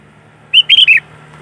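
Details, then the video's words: Sooty-headed bulbul recording meant for luring other bulbuls: a brief, bright phrase of three quick slurred notes, the last dropping in pitch, over a quiet background with a faint low hum. "Suara Burung Kutilang Gacor ASLI Tanpa isian"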